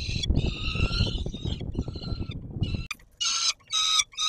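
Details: At supper time on the Warsaw Palace of Culture and Science, 17 July 2022, a peregrine falcon gives grating, harmonic wails, first under deep rumbling noise, then as clean separate bursts after a brief quiet gap.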